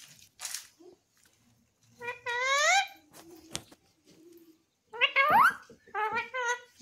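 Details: A pet Alexandrine parakeet saying "mithu mithu" in short, nasal, harmonic syllables in three bursts, with a brief sharp click and faint indoor noise between phrases.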